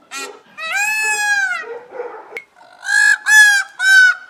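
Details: Loud scream of an Indian blue peacock: a long drawn wailing note followed by softer rough sounds and a sharp click, then three short clipped yells in rapid succession.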